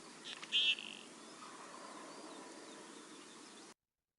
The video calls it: This is the song of the common goldeneye.